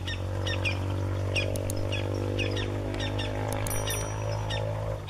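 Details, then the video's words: Campo flicker (Colaptes campestris), a wild bird, calling: a string of sharp, ringing notes, roughly two per second, over a steady low rumble, with a brief thin whistle near the end. "PICA PAU CHANCHÃ (Colaptes campestris) PÁSSARO VOCALIZANDO"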